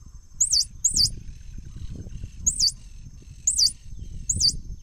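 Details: Swallow-tailed hummingbird uttering shrill, looping high squeaks, a quick pair and then single notes about a second apart, over low background rumble.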